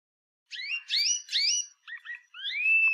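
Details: Canary song: three sweeping, rising chirps, two short clipped notes, then a drawn-out rising whistle that levels off, clean and high-pitched in silence.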